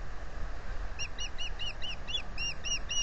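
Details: Osprey at the Salt Point nest, recorded by a nest-camera microphone on April 15, 2020, during the male's offer to take over incubation, which the female refuses: a quick run of about nine sharp, high, upturned chirps over a constant low background rumble.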